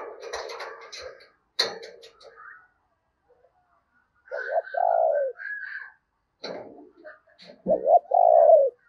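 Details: Spotted dove kept as a decoy to lure wild doves, giving two rounds of its call, each a quick doubled note then a sustained mellow coo, after clattering and rustling noises at the start.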